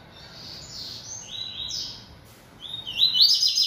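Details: A yellow-bellied seedeater, kept caged and singing a great deal, delivers soft wavering whistled notes that build into a loud, fast, buzzy trill at the end.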